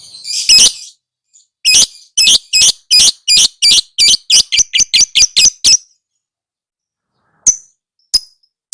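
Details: Lovebird training recording: a shrill opening chirp, then a fast run of harsh high chirps that quicken and shorten before stopping, followed by a few isolated sharp chips.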